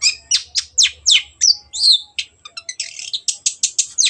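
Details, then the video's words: Long-tailed shrike in full song, used to encourage stuck birds to sing: loud downswept whistled notes, then a fast run of short chattering notes repeated about three per second. "CENDET GACOR PANCINGAN MENGATASI BURUNG MACET ATAU BAHAN AGAR RAJIN BUNYI"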